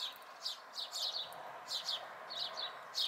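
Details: Young house sparrows, fledglings at a local site in May 2020, uttering short chirps in pairs and singles over a brief stretch, against faint constant hiss.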